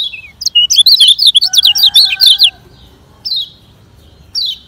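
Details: Lemon-bellied white-eye training song from Lombok, fast speed style; a quick two-second cascade of piercing zigzag chirps, then single descending notes spaced about a second apart, with a faint steady tone beneath.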